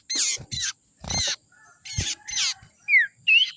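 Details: Young forest sirtu, a lure call: several loud, rasping buzzy calls in a row, followed by two brighter whistled notes, one falling and one rising.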